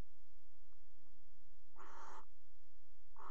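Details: Barn owls at a Dutch water-tower nest box, mating on its rim in February: one grating, hissy screech of about half a second, then another beginning just before the end; faint hum beneath.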